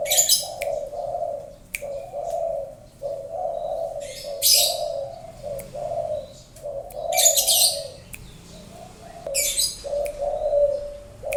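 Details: A prized spotted dove giving a long run of low, mellow, evenly spaced coos, while small birds add repeated loud high chirping bursts.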